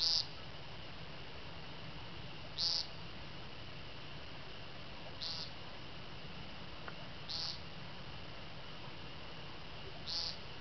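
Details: Woodcock during its courtship flight display in Mendon, 2012, giving short, buzzy, nasal notes about every two and a half seconds, over a steady high insect drone and low rumble; it returns to almost exactly the same spot.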